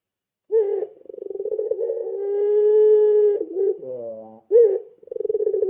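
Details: Puter pelung dove, a long-cooing lure call: low pulsed cooing that swells into a long, steady, mellow coo. A falling sweep follows, then a sharp rising note, and the pulsed cooing resumes.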